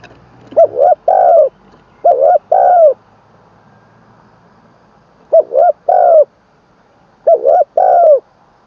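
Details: Spotted dove decoy bird in training in Isan, Thailand, third session, crowing in the ขันลงกุกวัย style with a full middle note: three clear low coo phrases, each two short rising hoots then a longer falling coo, separated by pauses.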